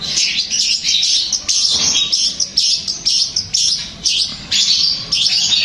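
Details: Song of a long-tailed shrike used to provoke a reply and singing from another shrike: rapid, high, buzzy chattering notes delivered in quick pulsed bursts, about two per second.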